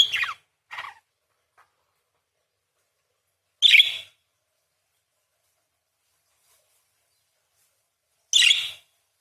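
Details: Actively singing parakeet, in a full song with long chattering 'beset crecet' phrases used as a training recording for songbirds; four short, harsh, bright chirps come in separate bursts with long silent gaps between.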